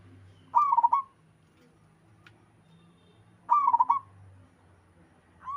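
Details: Wild local zebra dove in lively song, giving quick bubbling phrases of soft staccato coos. Two full phrases come about three seconds apart, and a third is just starting at the end.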